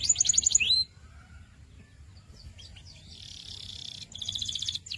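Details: Canary song: a loud, fast whistled trill of evenly repeated high notes, then a rising slur, followed by quieter buzzy rolls and a pulsing trill near the end; faint low background hum throughout.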